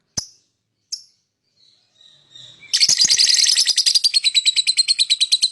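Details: Lovebird singing and chirping to lure other birds: two isolated high chirps and faint notes, then a loud, fast, continuous run of harsh, buzzy chattering pulses repeated several times a second.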